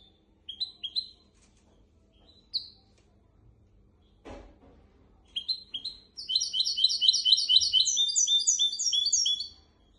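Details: Goldfinch x canary hybrid singing a tutor song meant for teaching goldfinches and canaries: scattered upslurred whistled notes and one low thud, then a loud, fast run of repeated high buzzy chirps and trills for the last four seconds.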